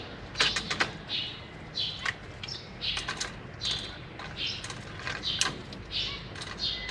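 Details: Zebra finches in a large cage, a family with three juveniles and three newly fledged babies fed by their parents, 6 May 2023: many short chirps and thin nasal calls in quick bursts, mixed with wing flutters and perch clicks.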